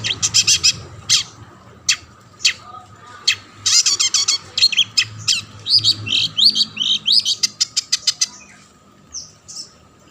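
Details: A long-tailed shrike's active song, played to stir other shrikes into singing: clusters of quick sharp chips and harsh notes, a rapid burst of rising whistles, then sparse thin notes.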